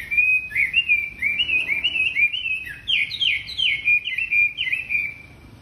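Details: Persistent wambi song meant to draw untrained wambi birds into singing: a long unbroken string of bright whistles, wavering and slurred up and down, with a few sharper upward-jumping notes midway.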